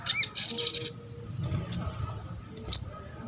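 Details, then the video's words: Short burst of fast, high chattering from a little spiderhunter, intended to get other spiderhunters calling back, followed by two isolated sharp high chips against a low background hum. "MUDAH BIKIN SOGON ( sogok ontong ) LAIN BUNYI GAMPANG RESPON"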